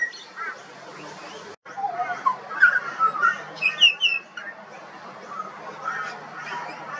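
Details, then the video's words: Juvenile pied butcherbird singing: soft warbled notes build into a cluster of bright, sliding whistles before fading into quieter mellow phrases over light background noise. "Butcherbird. Bird Singing. Bird Call and Sounds"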